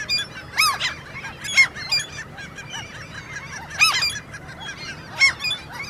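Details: During mating season, common gulls squeak in begging; loud, sharp downslurred squeals stand out in four main bursts, with softer overlapping calls from other gulls between them and a faint low background rumble.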